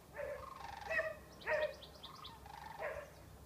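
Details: Cranes recorded in March 2014: faint, distant calls with several stacked tones, four short bursts spaced about half a second to a second apart, with thin higher chirps mixed in.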